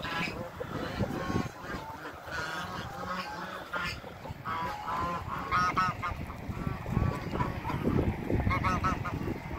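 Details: A Toulouse goose couple, domestic farm geese, calling as someone meets them. Repeated nasal honks and cackles rise and fall in short runs over a steady low rumble and handling noise.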